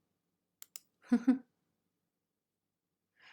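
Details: Two soft clicks, then a short breathy sigh in a quiet small room, followed by silence and a faint hiss near the end.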